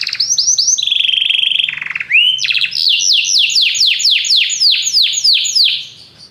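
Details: Canaries singing in chorus after hearing music: quick upslurred notes, a steady buzzy trill, then a long run of loud descending whistled syllables repeated several times a second.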